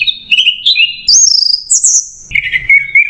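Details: Short run of orange-headed thrush song, "macet jernih" masteran style: wavering mid-high whistles rising into bright very high sliding notes, then a drop to a fast lower warble.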